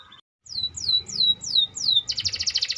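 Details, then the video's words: Canary (kenari AF) singing actively in gerek style: a brief soft note, then five clear descending whistled slurs at steady half-second spacing, ending in a bright, rapid high trill. "Kenari AF gerek gacor gela gelo"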